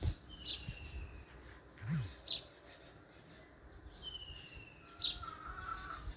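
Several birds give sharp high chirps and a few thin, level whistles at irregular intervals, over a steady low rumble of background noise.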